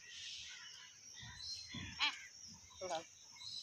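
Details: Pet talking hill myna gives two brief, nasal, voice-like utterances about a second apart, with low murmurs before them, over a steady background hiss.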